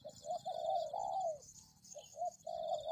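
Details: Spotted dove recorded as a lure for catching doves: a phrase of mellow low coos, two short notes then a long drawn, gently falling coo, followed by a pause and another short-short-long phrase, over a steady high-pitched background hiss.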